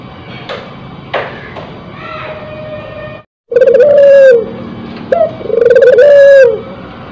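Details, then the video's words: Spotted dove in breeding condition; after faint calls and a brief gap, two loud cooing phrases follow, each a short rising note then a long quavering coo that drops at the end. "Suara Burung Puter yang Memukau"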